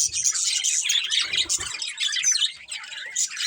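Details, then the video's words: Colourful pet budgerigars, a breeding pair, chirping in dense overlapping chatter: rapid high twittering and warbling notes with brief harsh squawks, continuous throughout. "Cute Colourful Budgies Chirping Sounds"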